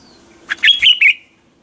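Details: Red-whiskered bulbul singing a morning training song, a quick burst of four clear whistled notes, slurred and slightly warbled, in a brief lively phrase that trails off into a fading tail.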